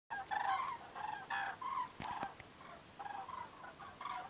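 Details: Large flock of cranes migrating north in flight over Zutendaal, Belgium, on 8 March 2014: overlapping trumpeting, bugling calls with clear harmonic bands, bursts coming every fraction of a second from many birds at once.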